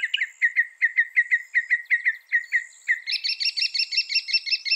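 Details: Mimicry song of a northern mockingbird, said to copy 200 sounds: a steady train of short chirps, about four per second, then a shift to higher, harsher doubled notes repeated quickly.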